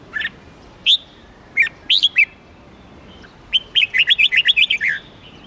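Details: Red-whiskered bulbul song: scattered single whistled notes at first, then a long run of about ten quick chirpy notes delivered in a rush.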